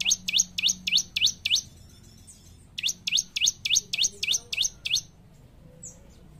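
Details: Bar-winged prinia, sung gacor to coax caged ombyokan birds into voice: six quick shrill downward-sweeping chirps, a pause, then eight more at a regular brisk rhythm.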